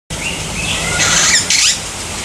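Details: Long-tailed glossy starling in the Umgeni River Bird Park, Durban, recorded 12 December 2015: a brief burst of harsh, buzzy, broadband notes over a steady background hiss, with a few thinner whistled tones before it.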